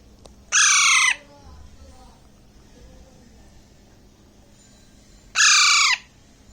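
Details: In Bangladesh, a month-and-a-half-old Alexandrine parakeet chick feeding on grapes lets out a pair of coarse, buzzy squawks separated by nearly five seconds, with soft low rustling in the pauses.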